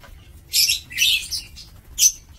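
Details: Aviary lovebirds kept for breeding, recorded 2 October 2024, give rapid loud, harsh, high screeches in three bursts over two seconds, with almost no other sound behind them.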